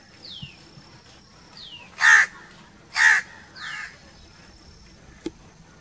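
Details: Two loud rasping crow caws a second apart, then a softer third caw, with short descending whistles from other birds and a thin steady high tone in the background.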